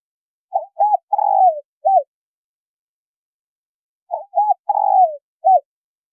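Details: Female spotted dove cooing to excite a male. Two identical phrases about three seconds apart, each made of two quick coos, a long quavering descending coo and a short end note. No other sounds.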